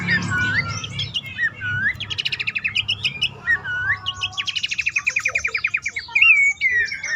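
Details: Bush warbler calling to prompt caged birds into song. Hooked, upslurred whistles alternate with long fast rattling runs of high chips, and a brief bright whistled phrase at the end, over low steady hum.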